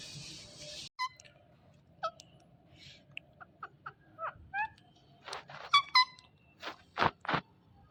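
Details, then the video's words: Female Indian ringneck parrot giving natural calls: a series of short whistled chirps and squeaky notes at varied pitches, some with harmonics, alongside brief harsher bursts, with quiet gaps between notes. "Ringneck Female Making Natural Sounds"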